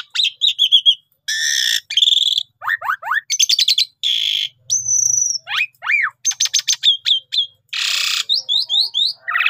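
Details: Energetic Javan pied starling lure song mixing harsh rasps, falling whistles, a long high whistled note, and fast chattering series, delivered almost without pause.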